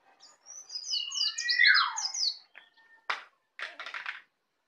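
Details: Learning its ngeplong, a young Bali-born white-eye pours out quick high twittering notes over a loud falling whistle, followed by two short harsh buzzy bursts.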